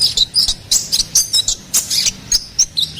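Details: High-pitched twittering song of a ruby-cheeked sunbird, used to train and attract songbirds: short sharp chirps repeated roughly every quarter second in an even, lively rhythm.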